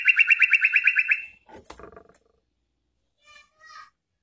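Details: Sooty-headed bulbul played as a lure for wild birds, giving a quick run of harsh chattering notes for just over a second, followed by soft clicks and faint brief calls.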